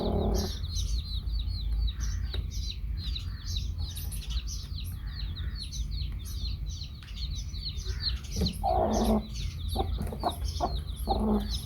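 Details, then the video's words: Baby chicks with a hen: dense, continuous high peeping and chirping fills the recording. Low, louder clucks break in toward the end over a persistent low rumble. "Baby Chicks hen"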